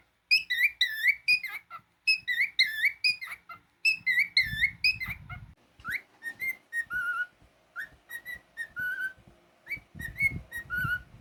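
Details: Pet cockatiel giving rapid, bouncy whistled phrases that dip and rise in pitch, repeated in bursts, then softer short whistles, with low thudding and rustling noises at times.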